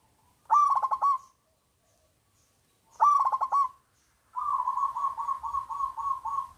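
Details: Local zebra dove, a loud-voiced singer used to lure lazy doves into singing: two quick stuttering coo phrases, then a longer, evenly pulsing run of mellow coo notes lasting over two seconds.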